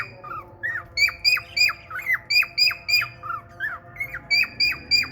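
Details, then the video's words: A male cockatiel sings to a female budgie with red eyes. Bright, sharply falling whistles repeat rapidly and unevenly, mixed with softer lower slurred notes near the start and end. "male cocktail parrot love story with red eyes budgie female"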